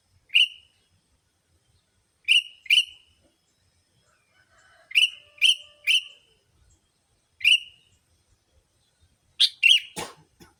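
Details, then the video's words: Lure recording of sooty-headed bulbul calls for attracting bulbuls. Crisp chirps come singly, in pairs and in a triple across ten seconds, each a brief bright note ending in a slight trailing tail. A rough burst closes the sequence. "Suara Burung Pikat Kutilamg Masteran Paling Cocok Semua Jenis Burung Kutilang"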